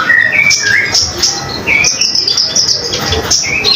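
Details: Common iora singing vigorously as a tutor recording for other cage songbirds; varied whistled notes, some rising slurs, followed by quick high chirps and buzzy phrases.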